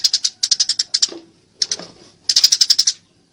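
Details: Eurasian tree sparrow in a fight, uttering fast runs of sharp, high chirps interrupted by two softer, lower, rougher notes, then a final burst of rapid chirping.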